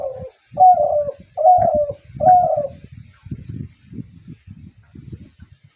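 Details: Spotted dove giving a series of four low, soft, hollow coos about a second apart, each slightly falling. Fainter rustling and knocking sounds follow.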